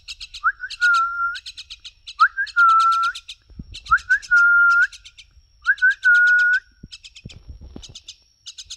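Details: Common myna (Acridotheres tristis), speech mimicry.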